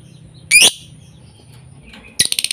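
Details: Lovebird lure sound meant to set a quiet bird singing: one piercing, squeaky double chirp, a short pause, then the start of a rapid stuttering run of high notes.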